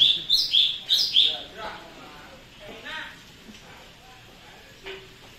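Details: Sooty-headed bulbul (cucak cungkok) in a lively singing state, giving a quick burst of five loud, rich whistled notes in just over a second, followed by men talking nearby.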